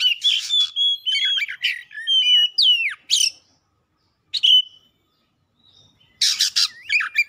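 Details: Oriental magpie-robin singing energetically through its repertoire, a run of varied whistled phrases with falling slurs, a pause, one short note, then a harsh buzzy burst and more whistles.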